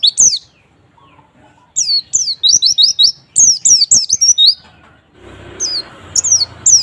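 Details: Lure recording of white-eye song: rapid runs of very high, thin, sliding twitters in bursts separated by short pauses, with clicking sounds beneath and a low hum near the end.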